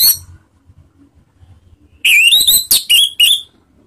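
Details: Orange-headed thrush ngeplong song, offered as a ngeriwik lure to start other birds singing: a short harsh note, a quiet pause, then a fast burst of loud rising whistles and rasping notes.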